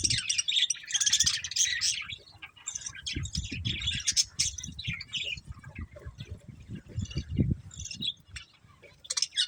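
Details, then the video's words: Breeding pair of budgerigars chattering in dense bursts of high, scratchy chirps and warbles, with steady low rumbling noise underneath. "Cute Budgies Chirping Sounds"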